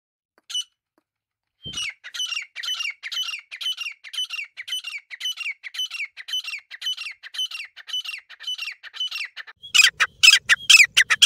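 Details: Grey francolin, called gora teetar or desi teetar, from Layyah: a long run of loud, harsh, squawking notes with high clear overtones, repeated about twice a second, turning denser and noisier near the end.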